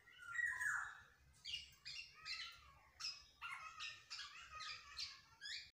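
A black-naped oriole opens with a slurred whistle, then gives a series of harsh, rasping notes about every half second in a small room.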